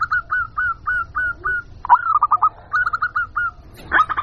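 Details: Local perkutut, the zebra dove, in a lure call for wild birds: a steady row of short, slightly rising coos. A quick rattling flurry of notes follows, then more evenly spaced coos and a final louder burst.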